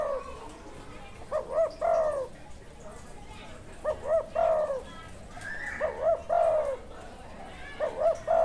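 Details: Wild spotted dove said to have a good call style (karam): repeated phrases of hooked mid-pitched coos ending in a drawn purr, about every two and a half seconds, over steady hiss and faint background noise.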